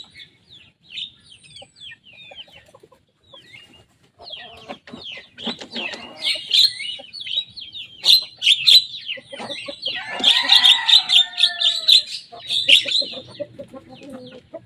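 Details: Young Javan myna mimicking rival birds' songs: quiet, thin squeaks at first, building into loud, dense chattering and rasping bursts, most intense around the middle, then fading to softer notes.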